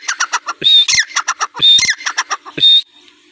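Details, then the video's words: Iranian teetar, a francolin, calling in a fast series of rasping, clipped notes, about one a second, broken by three louder drawn-out whistled squawks; no other sounds clear. "Teetar ki awaz| Teetar voice | Sound of Teetar |Iranian teetar ki awaz"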